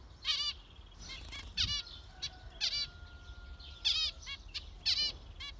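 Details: Loud zebra finch calls in spaced bursts roughly every second, each a nasal stacked beep, with a faint steady whine in the background.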